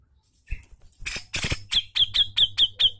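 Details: Brown-cheeked bulbul (cucak jenggot) in a tutor recording of energetic 'ngepik tajam' singing: after harsh noisy bursts, a rapid series of sharp, high, evenly repeated notes, roughly seven in a second and a half.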